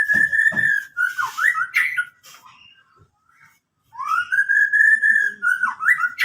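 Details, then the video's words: White-rumped shama with a full-fill song: clear, steady mid-pitched whistles that dip and rise again, with short sharp notes at the start, a silent gap, then another long whistled phrase. "murai batu"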